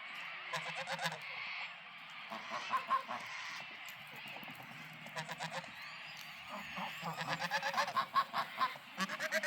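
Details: Happy farmyard geese give repeated series of buzzy, nasal honks, several birds overlapping, with bursts coming in quick runs of about two and a half per second.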